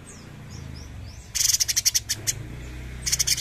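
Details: Bulbul called cucak cungkok, singing actively: soft descending whistles of other birds at first, then a loud, scratchy run of uneven buzzy pulses and a short further burst, over steady low background noise.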